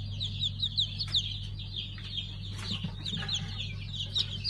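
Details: Hatchling pheasants of a five-colour line, recorded 3 August 2019, utter quick, high, slurred peeps in uneven bursts, backed by a steady low-pitched hum.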